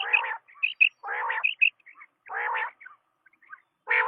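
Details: Quail, known locally as batair, giving harsh, buzzy, broadband bursts of about half a second, repeated roughly every second and a quarter, with short higher chirps in between; no other clear sounds.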